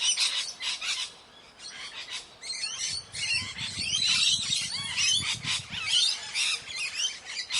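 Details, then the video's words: Indian ringneck parakeet calling "mitthu": rapid, shrill chirps and squawks, often overlapping, repeated about once a second, with a soft low rumble in the middle of the clip. "funny parrot 🤣calling mitthu mitthu|ringneck parrot videos compilation🤣"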